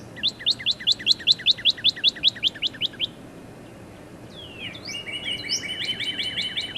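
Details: Northern cardinal delivering a regular series of about a dozen sharp whistled notes, a pause, then a downward sweeping whistle leading into a fast trilled phrase.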